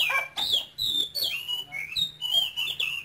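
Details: Singing caged male oriental magpie-robin from Cambodia, kept in Vietnam, known for keen, continuous high-voiced song: a short string of clear whistled notes, each sliding down or wavering, spaced roughly every third of a second over a low hum.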